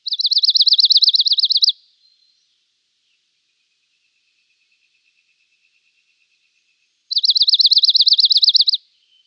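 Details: Dark-eyed junco (Junco hyemalis) giving two dry, high musical trills, each about two seconds of rapid even notes, separated by five seconds of near silence.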